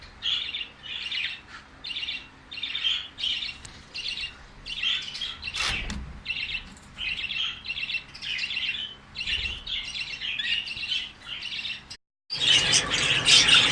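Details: Budgerigar, known locally as bajri, giving bright chirping notes in short bursts, roughly one per second, fairly steady, then a sudden louder burst of busy chattering near the end.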